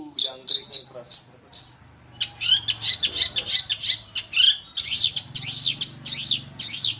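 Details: Long-tailed shrike song from a masteran training recording for songbirds: rapid bursts of buzzy, chattering notes, then a run of sharp, repeated upswept and downswept whistled notes, each note quick and harsh-edged.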